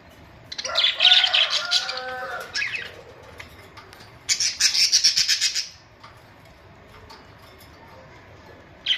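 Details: Pet budgerigars produce a long, dense warbling chatter, then a rapid run of about a dozen clipped, rattling notes, followed by quiet and a final chirp.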